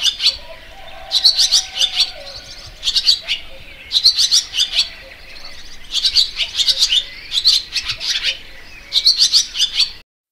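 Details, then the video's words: A barn swallow repeats short bursts of sharp, high twittering notes roughly every second or two, with quiet hum between phrases. "Layang2 Asia"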